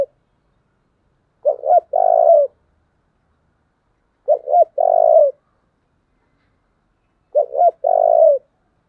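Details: Decoy spotted dove singing a tense thổ-style coo, offered as a model for decoy birds. Three evenly spaced phrases, each two quick clipped notes followed by a drawn-out, gently falling coo, with silence between.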